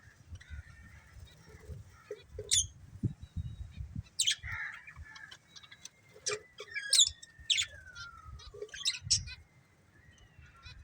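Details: Budgerigar breeding pair giving scattered sharp chirps and short clicks, with one long thin whistle that slowly slides downward through the middle, set against quiet low rumbling background.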